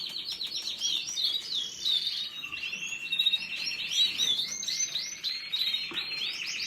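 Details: Canary singing a fast, continuous song of rapid trills and chirps, with rolling phrases and quick upward slides that flow without pause.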